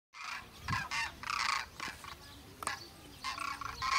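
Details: Common cranes flying in huge flocks give loud, rolling trumpeting calls in quick bursts, about two a second, with several birds overlapping.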